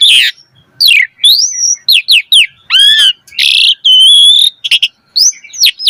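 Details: Caged-bird training lure of Asian pied starling singing: harsh rasping bursts mixed with clear rising and falling whistles, squeaky slides and nasal buzzes in a busy, rich medley with brief pauses.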